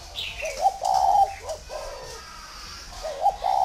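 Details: Spotted dove from a dove garden in Vân Hòa, Ba Vì, northern Vietnam: a stuttered lead-in and a sustained mellow coo, then a trailing lower note, and the phrase beginning again after about two seconds.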